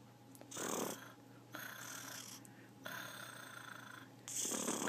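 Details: Growling talking macaw produces four separate harsh, breathy rasps spaced about a second apart, the first loudest and most rumbling, the others hissier and flatter, indoors.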